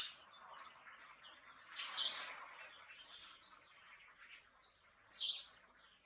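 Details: Great tit calling with two loud high buzzy phrases about three seconds apart, plus faint thin notes between them.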